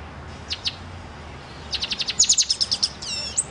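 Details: A caged black and white silver-beaked pet bird delivers two soft chirps, then a fast run of about a dozen high, ringing notes building in loudness, ending with a wavering buzzy whistle.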